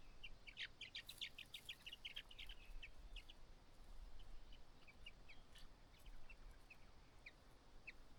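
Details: On fledging day, a White-browed laughingthrush parent coaxes its only chick out of the nest: rapid chattering run of short clipped notes early, then scattered single chips at spaced intervals.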